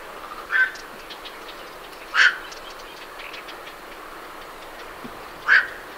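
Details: Night herons leaving their roost give three harsh, croaking 'quok' calls at irregular intervals, with faint great reed warbler chatter in the background.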